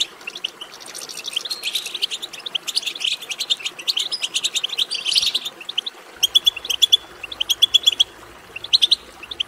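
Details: European goldfinches twittering to stimulate another goldfinch to sing; busy overlapping twitter at first, then a pause and separate short bursts of sharp, liquid chirps after six seconds.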